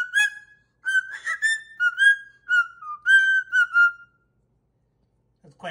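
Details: Happy little tune whistled by a pet cockatoo, a run of gliding whistled notes stepping down then back up over four seconds, followed by silence and a brief noisy burst.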